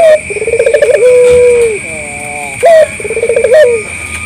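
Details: Local collared dove cooing to lure other doves into calling back: a fast stuttering roll flows into a long, steady, then dropping note, followed by a short rising coo and another pulsed phrase, over a faint high hum.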